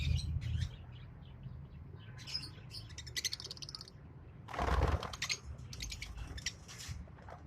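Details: A green pair of Fischer's lovebirds chirping and twittering in rapid high bursts, with a loud broad rustling noise in the middle and low rumble throughout.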